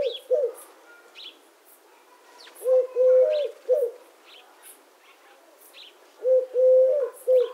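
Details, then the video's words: Streptopelia decaocto, the Eurasian collared dove, cooing twice in a steady rhythm, each phrase a brief note, a drawn-out hollow coo and a clipped ending, over scattered faint chirping of small birds. "The sound of the Collared Dove - Dove Sounds"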